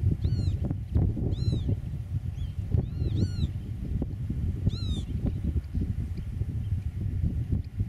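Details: Eurasian oystercatcher at its nest in Dutch meadowland, camera 8 m away, giving about five loud, shrill, arched 'kleep' calls at irregular intervals, some in quick pairs, over heavy low wind rumble.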